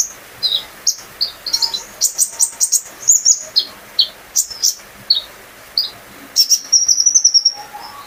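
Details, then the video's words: Brown-throated sunbird kept at home, its gacor song used to get other birds singing; scattered high chirps build to dense chattering runs, ending in a sustained, shivering high trill. "burung konin gacor pancingan terapi burung kolibri ninja agar ikut gacor"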